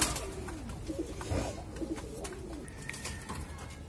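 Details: Low, rolling pigeon coos rise and fall under sharp clicks and knocks, with a faint steady tone toward the end.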